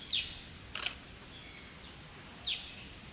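Two high, thin, sharply falling notes about two seconds apart, over a steady high insect-like hiss and one sharp click.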